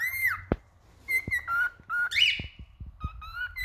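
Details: Singing male cockatiel gives short steady whistles and lower slurred notes, then a bright rising warble. Sharp clicks or taps are mixed in between the phrases.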